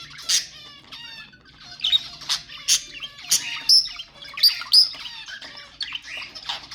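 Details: Budgerigars calling to encourage breeding: a fast, scratchy warble mixing buzzy harmonic notes, squeaks and sharp high clicks, repeated in uneven bursts about once a second.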